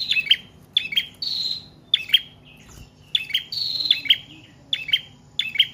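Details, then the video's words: Prinia, locally called prenjak trotol or paot, singing in a long, lively burst, kept as a cage bird and used as a lure and a master recording for training other birds: sharp, high chirps in quick clusters, repeated about every second, with brief descending buzzy notes between them. "Prenjak Trotol/Paot Gacor Panjang"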